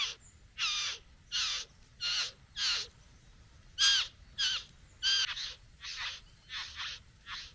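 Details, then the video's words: A satin bowerbird courting a female at its bower utters about a dozen loud, harsh, buzzy rasps. Some have a nasal, metallic overtone, and they come at irregular intervals of roughly half a second. "Bowerbird. ( Courting female at the bower)."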